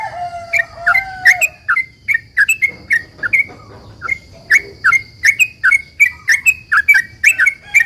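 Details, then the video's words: Long 'ropel' song of a sooty-headed bulbul in good voice, played to stir other bulbuls to respond: a low slurred whistle opens, then quick chirped notes, a short gap and a renewed fast string of sharp tweets; faint constant high hum. "trucukan gacor ROPEL PANJANG ini buat pancingan trucukan agar bunyi JADIKAN burung trucukgacor NYAUT"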